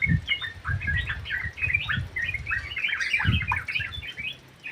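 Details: Sooty-headed bulbul (trucuk) in an aviary giving energetic song: tight bursts of high chirps and quick rising whistles, thickest around the middle, with low thuds underneath.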